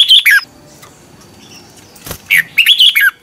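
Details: Red-whiskered bulbul, kept in a cage, singing in the morning: a slurred, descending whistled phrase, a pause with a sharp knock, then a run of lively bubbling notes.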